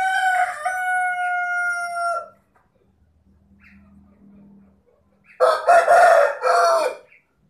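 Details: Rooster gives the drawn-out tonal end of a crow, holding a steady pitch for two seconds. After a quiet pause with faint low noise, a loud harsh crow follows in two bursts.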